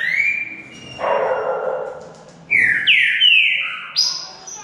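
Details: Green-winged saltator during a singing contest, a whistled note and a broad harsh burst, then a phrase of falling slurred whistles ending with a high clear note.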